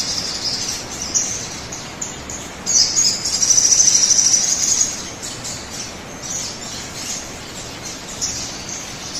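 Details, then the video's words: Crimson sunbird song played to coax other birds into song: scattered high chips, then a loud, rapid, piercing trill for about two seconds midway, then quieter thin notes again. "pancingan suara burung sogon agar cepat bunyi"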